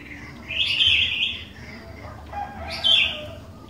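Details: Sooty-headed bulbul in full, lively voice, played to prompt other bulbuls to answer: a rich bubbling warble of nearly a second, then a shorter bright phrase about two seconds later.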